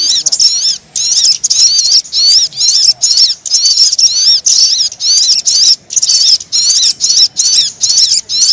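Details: Crimson sunbird lure call used to attract birds: shrill, high twittering bursts of rapid up-and-down squeaky notes, about ten short bursts separated by brief silences, with no other clear sounds.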